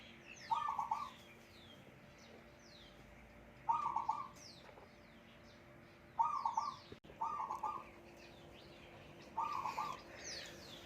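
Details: Wild-caught, decoy-trapped Zebra dove kept and raised at home, singing energetically: five bursts of fast, purring, stuttered coos, two of them close together. Scattered thin, descending chirps of other birds and a sharp click are also heard.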